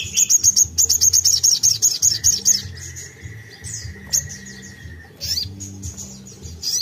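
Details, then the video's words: Crimson sunbird sogon 'tembakan', a lively burst meant to provoke untrained birds to sing: a fast string of sharp high chips, then a long even whistle and scattered high notes over a low background hum. "Tembakan sogon gacor bagus untuk pancing sogon bahan"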